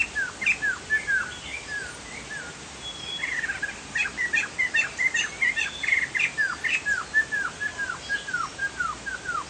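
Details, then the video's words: Chinese hwamei, called Sumatran poksay jambul, singing gacor: downslurred whistles that build into a long, busy stream of rapid repeated notes, ending in a regular series of falling whistles, over a faint high hiss. "POKSAY JAMBUL GACOR"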